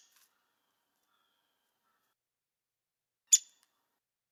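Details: A Downy Woodpecker in DuPage County, a year-round resident there, gives one short, sharp, high 'pik' note, a single clean note rather than the Hairy's sharper two-note call, in near silence.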